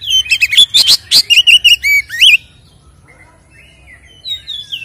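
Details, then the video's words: Provocative fighting song of a white-rumped shama used to agitate caged birds; a loud run of quick chattering and looping whistles, then fading softer warbles after a pause. "SUARA BURUNG Kacer gacor isian NGEPLONG TARUNG ini paling AMPUH buat PANCINGAN KACER agar EMOSI"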